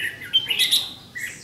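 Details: Caged red-whiskered bulbul decoy at a bird trap, 7 July 2016, giving its fighting song to challenge rivals; quick run of bright warbled notes rising and falling, then a softer trailing phrase.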